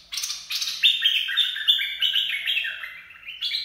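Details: Bulbul song of the Dok Taeng style, used for training young birds and luring birds: quick stepped whistled phrases, bright and fluty, gliding down in a chain of short notes with a few sharp accents.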